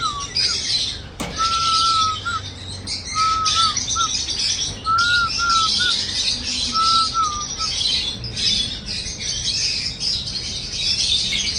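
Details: Cockatiel singing: a series of short clear whistled phrases, each a slurred rising-and-falling note repeated in small groups, set against a dense continuous chorus of high chirping and chattering from many other birds.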